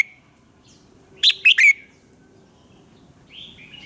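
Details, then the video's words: Red-whiskered bulbul, morning song used to train birds: one brisk phrase of three slurred, falling whistled notes, followed by a soft rising whistle. "luyện giọng chào mào hót sáng - Hót hay nhanh lửa"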